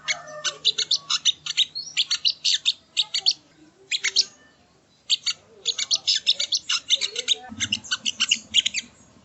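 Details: Masteran training recording of the ruby-cheeked sunbird, locally sogon or sogo ontong: fast runs of high, scratchy chirps in long phrases, a short gap midway, then renewed chattering over a low background hum.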